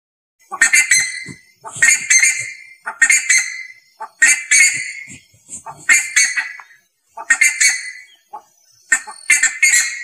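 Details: Ibis giving loud, harsh, hoarse honking calls in short bursts of several notes, repeated roughly every second throughout, with no other clear sounds.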